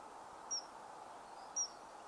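Two shrill, piercing high whistles from a common kingfisher, about a second apart, over a steady background hiss.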